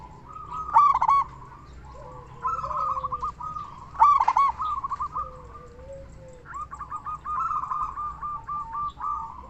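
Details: Local zebra dove with a big voice, used to lure other zebra doves to sing: rolling, bubbling coos with sharp stacked notes near the start and middle, and a lower soft trill beneath.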